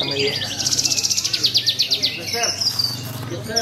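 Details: Caged Horsfield's bush lark singing at a bird contest: a fast, even trill of sharp high notes repeated about ten times a second for over a second, then short slurred chirps, with a low hum and other birds in the background.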